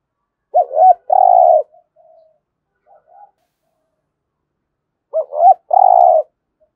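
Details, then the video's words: Spotted dove giving thúc gù coos, meant to rouse other doves to call. Two quick low hoots run into a long vibrating coo, with faint soft notes between. The phrase repeats after about four seconds. "cu gáy thúc gù giọng hay mở lên kích bổi hiệu quả hàng ngày"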